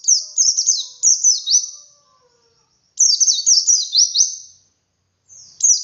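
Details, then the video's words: White-eye in the wild, 'ngalas' style song with 'wit wit' variation to prompt captive birds to sing: repeated high, thin, fast-falling notes in long twittering phrases, faint low whistles in the background. "Suara Burung Pleci Ngalas Untuk Pancingan Pleci Bahan"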